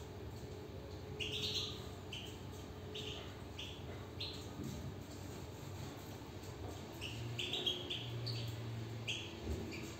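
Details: Caged European goldfinch twittering in a string of short, sharp chirps, several per second at first, then scattered after a pause and resuming near the end, over a low background rumble.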